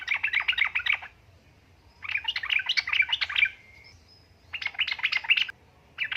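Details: Female yellow-vented bulbul in breeding condition calling the male: three fast, bubbling chatter bursts about a second long, spaced by quiet pauses, ending with the start of a fourth.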